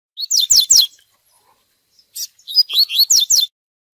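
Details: Double-collared seedeater singing the fiery tui tui song used for training birds: two bursts of bright, falling whistles, each a rapid cluster of high slurred notes separated by a brief silence.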